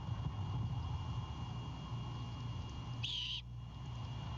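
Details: Great horned owlet at its Savannah nest on the night of 3/26/22, defensive after its father arrives with a bird. One brief raspy hissing screech near the end, over a constant low rumbling hum.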